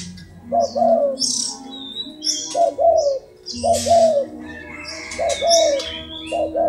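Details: Low coos from a hybrid spotted dove, paired short-then-long notes repeated five times over several seconds, with scattered high hissing noises and faint hum.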